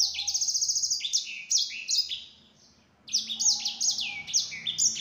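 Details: Yellow-fronted canary singing to bait other sanger into replying: a rapid buzzy trill, then high descending slurs, a short silent gap, and another burst of quick swooping notes with a faint low hum.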